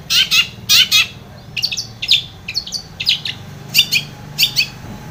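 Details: Long-tailed shrike singing actively, played to coax a silent bird into song: loud harsh double notes at the start, then quicker scratchy chips and squeaks in broken bursts, with steady low hum.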